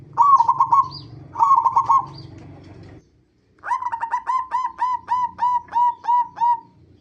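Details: Lure song of the zebra dove for prompting other zebra doves to sing: two quick trilled cooing bursts, a pause, then a steady series of about eleven evenly spaced coos.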